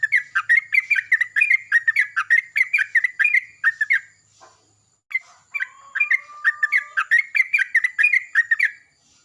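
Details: Yellow-vented bulbul calling back to another bulbul at dawn: two bouts of rapid, bubbly warbling split by a short silence, with one thin drawn-out whistle in the second bout.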